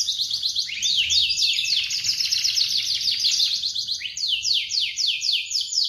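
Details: Canary morning song used to stimulate silent canaries: a dense rolling trill of quick repeated notes for about four seconds, then a series of loud, evenly spaced downward sweeps.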